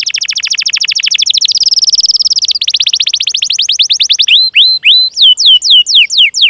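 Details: Canary singing a long cuit-cuit song with rolling trills, used as a training lure for young or silent canaries: a rapid, even, high trill runs for four seconds, then clear down-slurred whistles repeat about twice per second.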